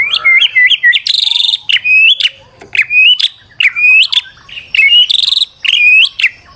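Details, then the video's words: Stressed white-rumped shama song, used as a lure to get another bird singing; a rapid series of loud, bright whistled notes, each rising then flicking up, repeated about once a second with short buzzy bursts mixed in. "PANCINGAN MURAI BATU STRES AGAR GACOR BONGKAR MATERI"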